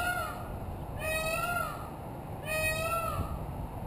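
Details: Peacock on a rooftop giving two drawn-out, wailing calls with strong harmonics, each about three quarters of a second long and rising then falling slightly, spaced about one and a half seconds apart over a steady low rumble.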